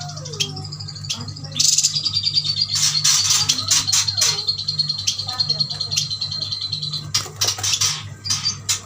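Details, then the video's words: Caged yuhinas from Kalimantan, bought as a group, keep up a thin, high twittering run broken by sharp clicking bursts, with a low hum beneath and brief low murmurs near the start. "Burung yuhina gacor"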